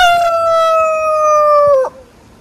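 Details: Rooster in a chicken coop with deep-mulch composting: crow ending in a long, steady, nasal note held nearly two seconds, sliding slightly lower before breaking off abruptly, over faint background noise.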